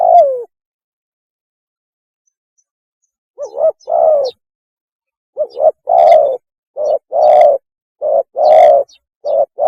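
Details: Lure recording of a spotted dove mating call: one falling coo, a pause, then a run of short-then-long coo pairs repeating steadily. Several loud notes sound overdriven.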